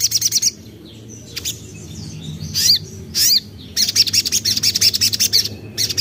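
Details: Common iora (sogok ontong), young bird, singing as a lure: a quick trill, a few separate whistled notes, then a long stretch of fast, high chattering.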